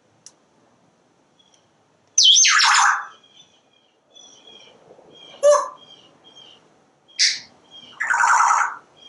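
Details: Talkative pet parrot on a screened back porch watching squirrels and birds: a loud raspy speech-like phrase, a short nasal syllable, then two more rough vocal bursts, with faint wild bird chirps behind.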